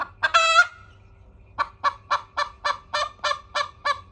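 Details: A hen's crowing: a clipped cluck, then a long, loud, ringing nasal note with a slight upward lift, a pause, and a regular train of nine harsh clucks spaced about a quarter second apart.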